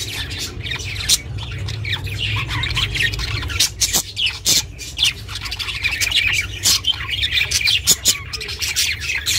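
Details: Chirping pet budgie, intended for solitary budgies: a quieter opening over low rumble, then busier clusters of raspy high chirps and short squawks repeated in quick succession.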